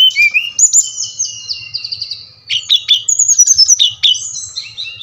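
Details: Bali brown-chested jungle flycatcher, lure song for caged birds slow to sing: a rising whistle, a long descending twittered trill, a short pause, then lively repeated whistled chips and high slurred phrases over a soft hum.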